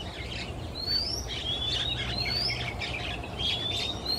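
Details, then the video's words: Male Oriental magpie-robin singing in a quiet Singapore afternoon while moving between perches. Clear, thin whistled notes slide upward and alternate with harsh, scratchy screech-like bursts. A low, steady rumble runs underneath. "Sweet singing Male MAGPIE-ROBIN"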